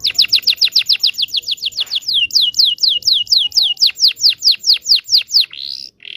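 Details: Canary teaching song for young canaries: a long, even run of bright downward-slurred notes, about four a second, slowing slightly before ending in two buzzy notes.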